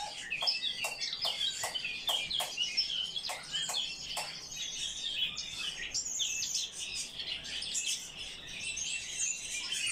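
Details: Eurasian blackcap warbling in a quick, varied stream of high chirps and whistles, accompanied by a series of sharp clicking taps in the first half and steady twittering from other birds.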